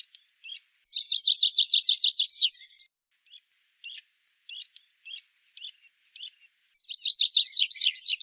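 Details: Song of a Rock pipit: a couple of sharp notes, then a fast series of repeated high syllables, a pause, single chips spaced roughly every half second, and a closing trill of looping notes.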